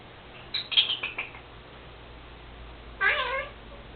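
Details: Pet Senegal parrot that mimics her owner's sneezing produces a rapid string of short squeaky clicks, then a loud nasal, voice-like drawn-out note, indoors with a faint hum.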